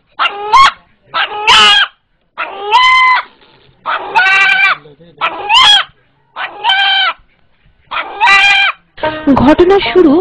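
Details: An eight-month-old village rooster in Bangladesh gives its fright call, likened to "Allah Allah": loud, harsh, two-syllable squawks, each rising then falling, about eight in ten seconds, ending in a rougher, noisier burst.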